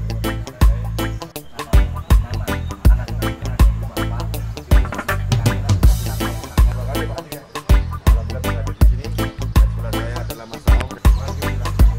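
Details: Only music is heard: a steady bass-heavy beat in a reggae or Afrobeat style, with no animal calls.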